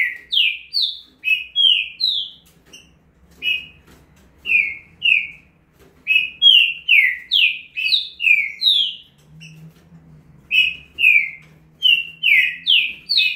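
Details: Male green-winged saltator (trinca-ferro) in the speedy 'estouro' style: long run of loud, slurred descending whistles, grouped in quick bursts of three to six notes with brief gaps between.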